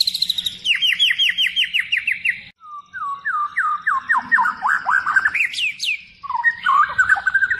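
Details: Energetic lure song of a white-rumped shama (murai batu) with many fill-in phrases: a rapid string of falling notes, then a lower run of dropping whistles, sharp rising notes and a closing warble.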